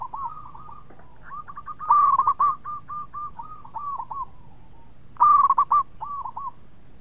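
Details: Zebra dove of local stock singing often in a sweet voice, said to set other birds calling; a soft string of hooked coos broken by two loud rapid bubbling bursts.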